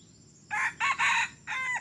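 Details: Red junglefowl cock used as a trapping decoy, crowing for only three weeks, delivers a full short crow: four hoarse, strident notes, a pause before the drawn-out last note, insects faintly trilling underneath.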